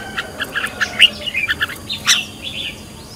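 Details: Brief run of quick chirps and short warbled notes from a red-whiskered bulbul being trained as a decoy, with one sharp peak at the midpoint and a buzzier burst near two seconds.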